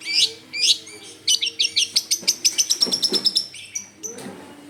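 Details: Energetic long-tailed shrike singing, recorded as a lure: mixed high chirps and whistles give way to a fast, even series of about fifteen clipped notes, then a few scattered calls at the end.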